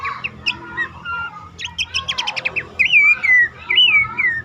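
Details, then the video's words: Lure call of a bush warbler meant to coax caged birds into full song; scattered chirps and short trills build into a loud, wavering whistled phrase that sweeps down, repeated near the end. "pelanduk semak ngecall pancingan ampuh burung bahan,macet,stress,susah bunyi agar cepat ngeplong"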